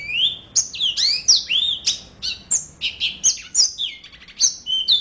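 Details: Vigorous yellow-fronted canary song: a continuous stream of high, sweet whistles and fast twittering trills, rising and falling notes rattling out one after another without a break for five seconds.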